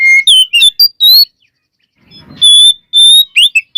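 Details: White-rumped shama song for provoking other shamas: several sharp whistled notes, a short gap, then long pure sustained whistles followed by quick slurred notes.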